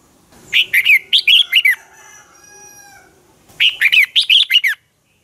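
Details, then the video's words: Red-whiskered bulbul in a dueling song used as a lure bird for training, morning singing: two bursts of loud, warbled whistled phrases, each of about seven rapid notes sliding down, separated by a quieter gap with faint tonal hum. "luyện chào mào hót sáng hót hay dùng thúc bổi, ép giọng rất hay, chào mào căng lửa, chào mào hót đấu"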